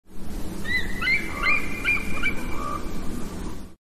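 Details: Bald eagle gives thin, high, squeaky chittering notes in a quick run of about two seconds, over a steady low rumble of wind or background noise.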